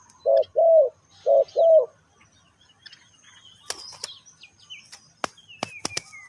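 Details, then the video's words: Spotted dove calling as a lure for wild birds: four low, hollow coos in two quick pairs, followed by sharp clicks and small knocking sounds. "Chim cu gáy chiêu kích mồi tập bổi nhanh nổi hiệu quả"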